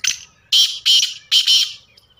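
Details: Black francolin, caged and hung up, giving loud harsh grating bursts: a short opening note, then three rasping, noisy phrases spaced about half a second apart, with a faint tail of softer notes and a quiet background.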